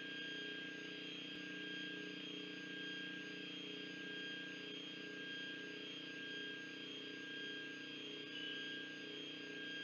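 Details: A steady mechanical drone with several sustained tonal lines, like a distant aircraft or engine, runs throughout with no animal sound.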